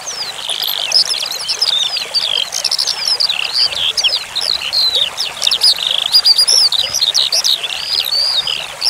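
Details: Continuous high skylark warbling meant to teach other birds, paired with running water: dense tumbling chirps, sharp downslurred whistles and repeated trills that never stop, over a constant trickling hiss.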